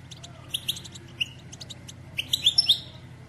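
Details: European goldfinch, a female, giving short high chirps and twittering notes in loose bursts, with a clustered run near the end over a low steady hum; used to stimulate males to sing and mate.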